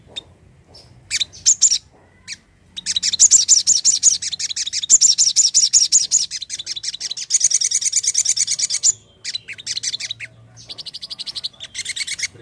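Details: Crimson sunbird call used as a lure for other birds: a fast series of high, sharp chirps, about three per second, in long bursts with brief pauses and some scattered shorter twitters.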